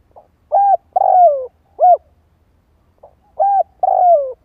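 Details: Spotted dove calls played to lure wild doves, deep cooing notes given in groups, short arched coos followed by a longer falling coo, two phrases about three seconds apart, clean recording with faint low hum.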